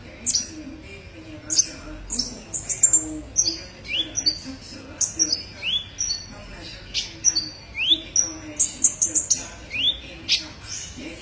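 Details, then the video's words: Sunbird, used as a master bird for training songbirds in Indonesia, giving a rapid, varied song of high, thin chirps and short rising whistled notes, many sharp upslurs, delivered in dense bursts with brief pauses. "masteran burung Kolibri ninja"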